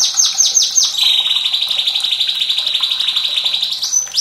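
White-rumped shama: four quick, high, falling whistles, then a long, fast, even trill. A single high whistle closes the phrase over faint running water.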